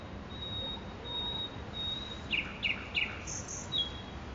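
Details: Nightingale singing in Makoui park: long, thin, even whistles held high, then three quick sharp double chirps, spaced about a third of a second apart, closing with a brief high trill over a soft hiss.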